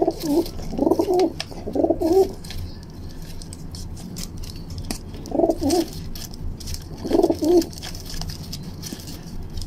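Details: A young female rock pigeon coos while pecking at and fighting a hand, giving low, throaty coos in short rolling bursts, several close together and then a few spaced seconds apart, over a faint indoor background.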